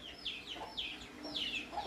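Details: Wild, tame Javan myna living beside people: bright downward-sweeping chirps, about three in two seconds, fairly loud against soft background noise.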